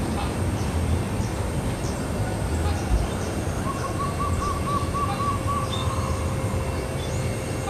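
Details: Wild local Javanese zebra dove from Central Java, perched on a branch in a house yard on a clear sunny morning, calling to its mate: a quick run of about ten short, even, mid-pitched coo notes over steady background hiss.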